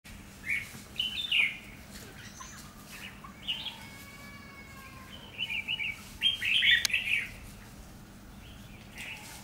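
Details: Red-whiskered bulbul decoy singing to lure a rival bird into a trap; bright chirpy warbled phrases in scattered bursts, loudest near the end, over a steady low hum and faint background hiss.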